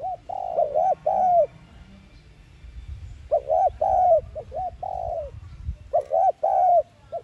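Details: Lure cooing by a spotted dove in the thúc gù style, intended to set caged doves cooing. Three rolling phrases of arched, hollow coo notes are separated by short gaps, with faint low background noise.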